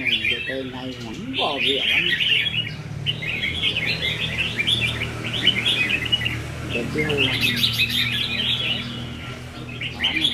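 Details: Contest-training session of caged red-whiskered bulbuls, 15 May 2021. Bursts of lively, jumbled warbling from several birds come in waves, while a man speaks at the start and again midway.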